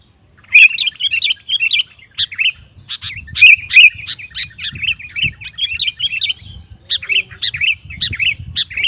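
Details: Lively sooty-headed bulbul song used to stir up rival males: repeated quick phrases of bright, bubbling warbled notes with sharp high clicks, running almost without break after a short silence.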